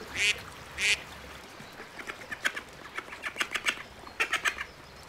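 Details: Two strong duck quacks from a pond give way to a run of softer, quicker, higher chattering notes that come in rapid clusters.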